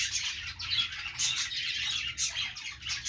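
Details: Budgerigars playing, giving a dense, continuous high chattering of overlapping chirps and warbles, swelling in short bursts about every half second, with no other clear sounds.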